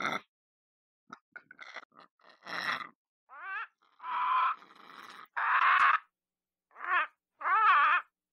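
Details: A talkative pet lorikeet indoors in a kitchen produces a varied string of short clicks and chirps, then wavering, bending tonal notes and rough squawks in irregular succession.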